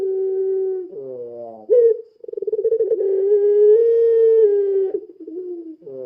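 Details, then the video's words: Spotted dove of the puter pelung type, recorded as a lure call: deep hollow coos with a brief rising note, then a rapid throbbing roll that swells into one long sustained, drawn-out coo, ending in softer wavering notes. "Suara Burung Puter Pelung Gacor | Suara Pancingan Puter Pelung"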